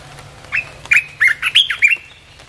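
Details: Red-whiskered bulbul song for luring wild birds: a rapid, loud phrase of five or six warbled whistles, some rising and some falling, packed into about one and a half seconds.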